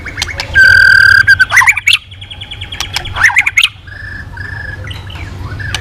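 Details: White-rumped shama, said to be singing readily again after being silent, gives a long steady whistle, then harsh scratchy bursts and short clipped whistles with pauses between them.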